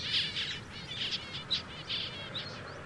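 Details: Zebra finch song, a steady string of short nasal buzzy syllables repeated several times a second, with a few squeaky sharp notes mixed in and faint background noise.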